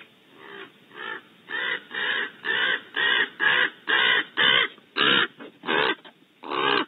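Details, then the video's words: Ill-tempered raven making a racket outside a barn owl nest cavity in California: a long series of harsh, hoarse croaking caws, about one every half second, loud and evenly spaced. "Ill-tempered Seth Raven creates racket outside cavity"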